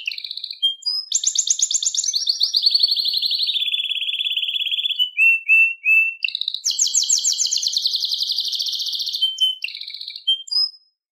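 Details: Atlantic canary singing a long varied song: high trills dropping to a lower rapid rolling trill, short whistled notes, then another bright fast trill and a final whistle.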